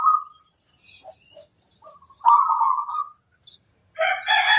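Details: A local zebra dove sings to provoke answers from other zebra doves: a brief coo, scattered soft notes, then a longer rolling cooing phrase. A harsher burst comes at the end, with a steady high whine throughout.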